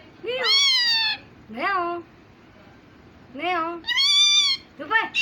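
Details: Pet parrot mimicking a cat's meow while talking like a human: five drawn-out, harmonic meow-like calls, each rising then falling, separated by short pauses.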